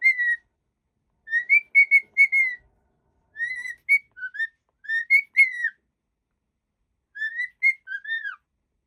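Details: Happy cockatiel whistling a tune of clear, pure notes in short phrases, some flat and some sliding up or down, with brief pauses between groups; a quiet indoor setting with no other sounds.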